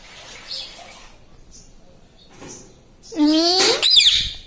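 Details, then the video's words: Home-kept talking parrot (mitthu): quiet room noise, then a loud, nasal, harmonic, speech-like call lasting about a second, ending in a higher squeal. "Tota Tota mitthu mitthu - Bolne wala tota - tota talk - mummy bolne wala mitthu - talking parrot"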